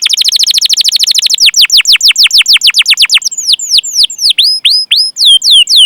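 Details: Canary sound used as a training lure for young, unschooled or silent canaries: a fast rolling trill of steeply falling high chirps, then slower, spaced downward-sweeping whistled notes with hooked ends, clean with no other sounds.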